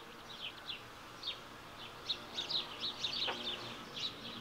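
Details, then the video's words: Week-old smew ducklings with their mother: thin, high peeps in quick, uneven bursts, several overlapping, against a quiet background. "Week old Smew ducklings with their mom"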